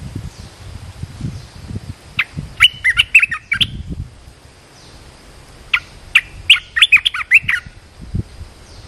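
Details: Caged red-whiskered bulbul serving as a decoy to draw in a wild bird: two lively phrases of rapid bright chirps and slurred whistles, accompanied by low thumping and rustling noises underneath.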